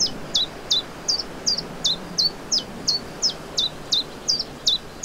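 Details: Common chiffchaff singing in spring, 29 May 2023, in the Vilaine estuary, Morbihan, Brittany: high, clipped notes alternating between two pitches, about three per second in a steady chiff-chaff rhythm, over soft hiss.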